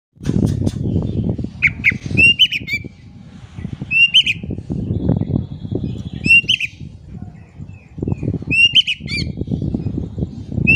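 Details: Oriental magpie-robin song used as a lure to get quiet magpie-robins singing: loud whistled notes and rising chirps around the upper range in short bursts, over heavy low thumping and rustling noise throughout.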